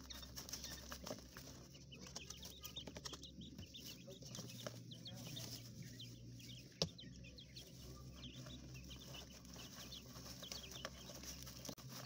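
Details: Coturnix quail chicks in an enclosure in a hotel room in a small urban setting, giving many short, high, downslurred peeps in overlapping bursts, with scratching and rustling and a steady low hum throughout.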